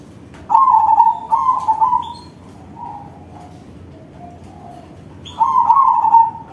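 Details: Crossbred zebra dove singing strongly: two quick bubbling coo phrases, a few faint short notes, then a final rolling, drawn-out coo phrase.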